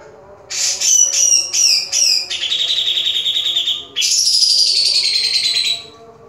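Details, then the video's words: Spirited grey-cheeked bulbul kept in a cage: a run of sharp, descending whistled notes flows into a long buzzy trill, a brief pause, then a second extended rattling phrase, with a constant low hum behind. "cucak jenggot gahar"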